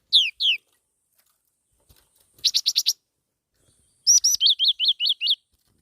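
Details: Black-throated laughingthrush singing: two downslurred whistles, then a quick burst of five buzzy notes, and finally a rising note leading into six high, evenly spaced inverted-V chirps. The background is quiet.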